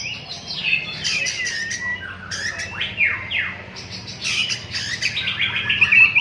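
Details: Singing oriental magpie-robin running through learned material: quick chirps, steep up-and-down whistled sweeps and rapid clicking bursts, fairly clean with faint low hum.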